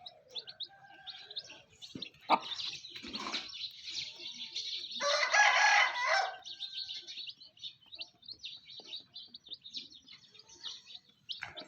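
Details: Domestic chickens with chicks: a long, harsh, ragged crow swells and fades around five to six seconds, surrounded by steady high chick cheeping and a few low clucks.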